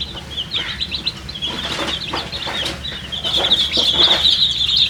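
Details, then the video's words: A crowd of thirsty coloured chicks chirps for water, high peeps about four a second that grow denser and louder toward the end, over soft rustling. "MURGI chicks Chirping sounds with thirst for drink water"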